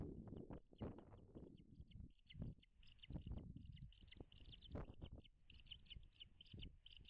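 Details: Wild American bald eagles at their nest on Dale Hollow Lake, a reservoir on the Kentucky-Tennessee state line, in early afternoon: rapid, high, thin chirping notes repeated in bursts, over low thumps and rustling around the nest.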